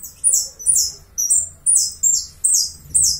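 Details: Uruguayan saffron finch singing a run of high, buzzy notes that slide downward, given in paired bursts about twice a second, with a faint low hum underneath.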